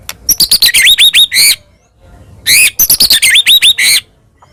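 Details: Singing white-rumped shama, meant to spur a rival shama into song: two bursts of quick clicking notes mixed with bright rising whistles, separated by a short silent pause.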